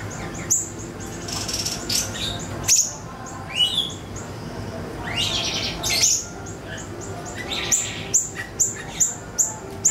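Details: Ashy tailorbird (siri-siri) lure recording to make songbirds answer: loud, harsh high chirps, buzzy squeaks and sharp clicks, ending in a fast run of evenly spaced clicks, all over a low steady hum.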